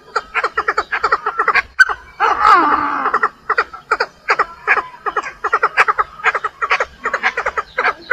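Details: Female Chinese francolin calling to draw in males: loud runs of short, harsh, harmonic clucking notes in quick bursts, with a longer rasping, wavering phrase midway, over a quiet background.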